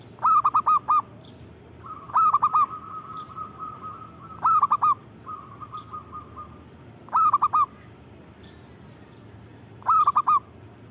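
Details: Vigorous song of a local zebra dove, five quick phrases of four bright staccato coos at roughly two-and-a-half-second intervals, with long, faint runs of softer, even cooing notes between them and low hum beneath.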